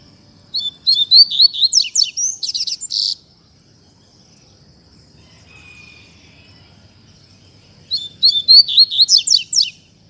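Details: A Double-collared seedeater delivers its fiery 'canto fibra' song: an opening phrase of quick high chirps and buzzy trills, a long silence with only a faint thin note, then the phrase repeated.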